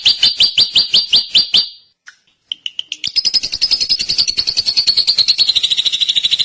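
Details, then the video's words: Singing drongo: a row of evenly spaced, bright chirps, a brief gap with a few thin notes, then a dense, rapid chattering trill that runs on without a break. "kicau burung srigunting"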